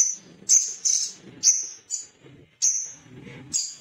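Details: Agitated male little spiderhunter gives bright, high-pitched chit calls at uneven intervals, sometimes paired, over a faint low mumbling background.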